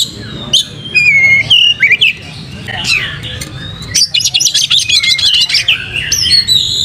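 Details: Caged white-rumped shama, a bird kept for song training, singing loudly with its tail spread: varied whistled phrases, sharp rising and falling notes and dense bursts of trills, with a low background hum.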